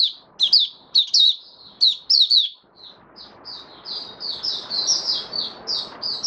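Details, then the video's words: Lively male white-eye song: loud, clipped high chirps in quick succession, then a softer, faster stream of warbling twitters over light room noise. "Mata Puteh Raja Stablizing his form buka sing"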